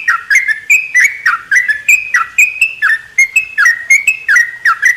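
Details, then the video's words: In a small aviary at morning, a sooty-headed bulbul gives continuous loud whistled notes, each dipping then levelling, delivered in a steady bubbling stream. "kicauan terukcuk diaviary."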